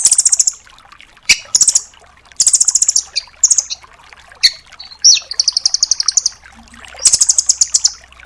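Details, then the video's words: Full 'tembakan' of a velvet-fronted nuthatch ('rambatan doraemon'), used to train songbirds. Fast, high-pitched trills come in bursts, one long run lasting over a second, with sharp chips between them. "MASTERAN BURUNG RAMBATAN DORAEMON FULL TEMBAKAN"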